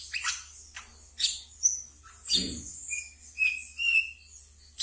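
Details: Kept wiceh (brown-throated sunbird) giving ngeriwik song for luring untrained birds: buzzy high notes and scratchy bursts, a few short level whistles late, plus a brief low knock midway.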